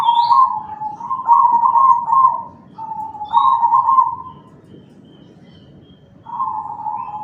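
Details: Black cemani zebra dove with a big voice, used as a lure so other zebra doves answer and sing; loud, trilled, mid-pitched coo phrases run back to back, then a pause, then another phrase begins.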